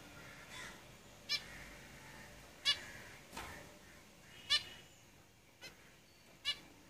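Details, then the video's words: Short, bright nasal calls from caged zebra finches, about six spaced notes, one pair close together, over a soft background hiss. "Zebra Finches Singing in the cage"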